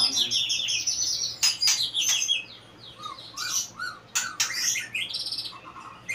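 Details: Two-year-old caged white-rumped shama singing: high chattering, buzzy notes broken by sharp clicks, then a few soft rising-falling whistles near the middle, in a quiet room with low hum.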